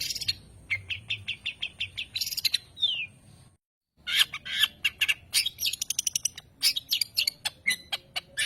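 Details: Long-tailed shrike song variations: fast runs of clipped chirps with harsh scratchy bursts and a falling slur, a brief silent gap midway, then dense varied chattering and squawks.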